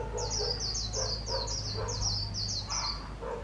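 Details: Wild-trapped decoy white-eye, selected for its fine 'líu' singing: a rapid run of high, thin, down-slurred notes repeated in quick succession, over a low steady hum and faint lower chirps.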